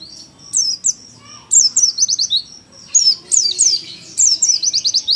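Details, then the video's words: Oriental white-eye youngster in 'nembak' style, recorded as a tutor song at home: four energetic bursts, each opening with a loud high note followed by a quick rattle of falling twitters. "PLECI PAUD NEMBAK LUMAYAN BUAT MASTERAN DI RUMAH"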